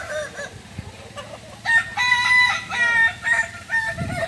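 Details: Kukuak Balenggek chicken at a joint training session in Ampang Kualo, Kota Solok, Indonesia; after a faint start, a strong crow breaks into a chain of evenly stepped, ringing syllables lasting about two and a half seconds.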